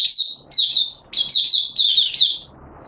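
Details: Oriental white-eye from Malaysia, 'buka sing' song display, 25 February 2023: a short run of four or five high, downward-slurring chirp groups in quick succession, fading into quiet at the end.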